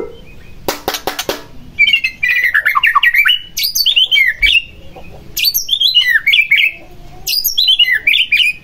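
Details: Song of a white-rumped shama used to stir another into song: rattling clicks, then loud harsh scratchy phrases mixed with twisting whistles, delivered in three long bursts separated by short pauses.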